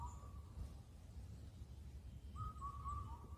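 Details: An Indian cuckoo (Cuculus micropterus) at Cheonmasan, Incheon, Korea, calling at the season's end of the spring lean period, sometimes through the night, gives clear, mellow whistled notes in a quick four-note phrase, the last dropping slightly, over a steady low rumble.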